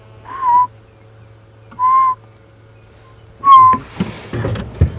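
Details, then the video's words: Yellow-fronted Tinkerbird heard on a morning safari drive at Djuma Game Reserve near Buffalo's Hook Dam, 11 September 2015. It gives slow, hollow whistled 'doo' notes about every 1.5 seconds, much slower than normal, followed by low hum and a brief rustle. "I think, everybody, that is a yellow-fronted tinker barbet, but it's either had a lot to drink or it's a"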